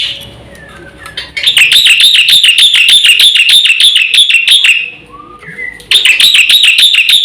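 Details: Black-winged myna singing a full, lively song for luring and training birds: long runs of rapid, even, ringing notes about three per second, broken by a short pause with a few soft whistles.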